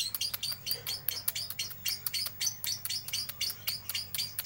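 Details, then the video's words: Lovebird ngeriwik, the continuous chattering style, in bird-shop filler audio: rapid high sharp chirps repeated about four times a second without pause, with a steady low hum underneath. "Lovebird ngeriwik"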